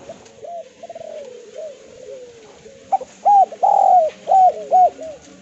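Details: Spotted dove from Java, recorded as a lure so other doves answer. Soft, low coos drift along for three seconds before a burst of loud arched coos and one long drawn note.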